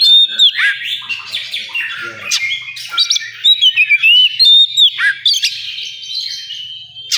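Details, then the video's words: At a bird singing competition ground, an oriental magpie-robin pours out rich, varied whistles, slurred sweeps and sharp chirps amid a busy chorus of other competing birds, with faint voices in the background. "Suara kacer di area lomba"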